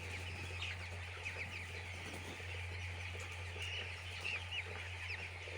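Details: Chicks in a poultry farm call in a continuous high chirping chorus, a few clearer rising peeps standing out late on, backed by an even low-pitched machine hum.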